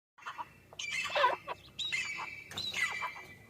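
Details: Grey francolin calling: three loud harsh phrases about a second apart, each a cluster of rasping notes with a ringing high tone, over a quiet background.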